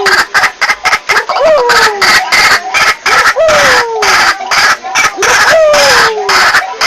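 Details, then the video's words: White-breasted waterhen (Amaurornis phoenicurus) lure recording: a loud, harsh, rapidly repeated croaking chorus, broken by falling whistled slurs about once a second, with nothing else prominent. "SUARA BURUNG RUAK RUAK"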